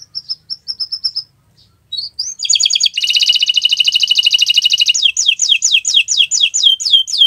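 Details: Canary singing vigorously on a Friday morning: a few short high whistled notes, a brief pause, rising slurs, then a fast buzzy trill lasting about two seconds, followed by swooping downslurred notes repeated about four times per second.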